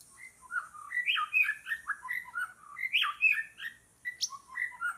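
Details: Wild white-rumped shama in forest during bird trapping: a rich, varied run of clear whistled notes, rising and falling slides and quick warbles, with one sharp high upsweep near the end, over a faint high insect hiss.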